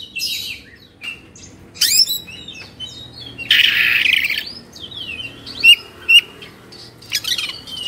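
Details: Excited Oriental magpie-robin in Indonesia, open-beaked and fanning its tail, sings sharp high chirps and slurred whistles, broken by a second-long rough hissing burst, then a few clipped piercing notes.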